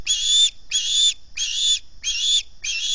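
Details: Osprey begging from hunger early in the morning at the Salt Point nest camera: five loud, high, piercing whistled squeals of about half a second each, evenly repeated roughly every 0.6 seconds.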